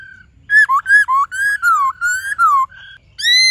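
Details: White-cheeked laughingthrush singing a varied forest-style song ('giọng rừng') with many voices: loud, clear whistled notes, some slurred downward, in quick phrases separated by short pauses.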